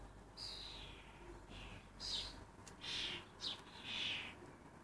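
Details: Excitable common starling fledglings in Lancashire give a thin descending note followed by several harsh, scratchy rasps, with uneven spacing and moderate loudness.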